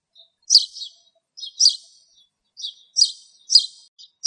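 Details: Spanish sparrow (Passer hispaniolensis) on a bramble in Greece gives short, harsh chirps in quick bursts, about five over four seconds, high-pitched and slightly buzzy; nothing else heard.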